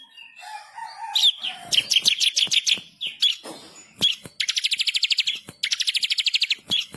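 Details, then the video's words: Bar-winged prinia singing vigorously as masteran tutor song, agitated and insistent with rolling trills and sharp shots: low whistle, then high sharp chips building into rapid buzzy trills, two long even rattles near the end. "burung MASTERAN ciblek kristal gacor // ngamuk ngotot ngerol nembak pedas"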